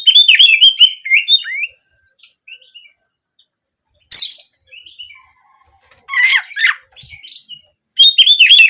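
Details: Oriental magpie-robin (kacer) delivering "nembak kenari" canary-style bursts meant to spur singing for daily use and competitions: rapid chattering whistles, a pause with soft notes, then further loud, harsh-edged bursts.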